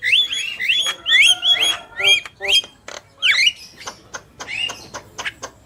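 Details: Black-winged myna song from a male and female: repeated rising-then-flat whistled phrases, a swooping squeal, then scattered sharp clicks and softer chatter.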